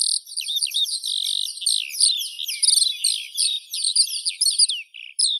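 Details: Eurasian skylark giving a rapid, continuous high warble of chirps, slurs and rolling trills, falling quiet briefly just before the end.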